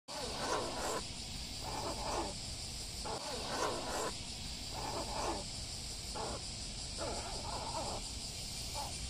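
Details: A pet carrion crow, seemingly complaining that it fell into a pond, gives harsh, hoarse caws in irregular bursts of about half a second to a second, against a steady high hiss like distant insects.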